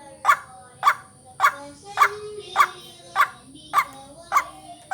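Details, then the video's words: White-breasted waterhen luring call for vocal training: harsh, croaking notes repeated steadily, about one every 0.6 seconds, with a faint constant high whine behind them. "Ruak Ruak pikat latihan vocal"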